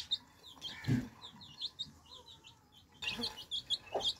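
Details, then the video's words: Thirsty baby chicks drinking fresh water give rapid, high, short downward peeps in quick bursts, with a louder broadband knock near the start and a pause midway before the peeping resumes. "Thirsty Chicks Quenching Thirst With Fresh Water Baby Chicks Relaxing Sound"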